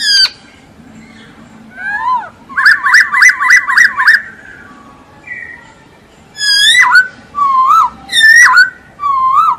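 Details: Masked laughingthrush in active song: a quick burst of wavering whistled notes, a pause, then loud downslurred whistles alternating with rounded, wavering calls.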